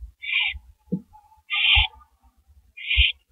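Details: Nighttime porch recording of two owls, April 18, 2012, around 2:15 AM: three rasping, breathy screeches about a second and a quarter apart, with a soft low knock between the first two.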